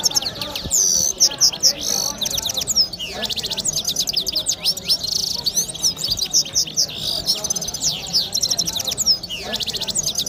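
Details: Red head gulsar, or red-fronted serin, singing a canary-like song: continuous, high, tinkling twitter mixing fast trills, slurred upward whistles and dry buzzy rattles, with only brief breaks, over background hiss.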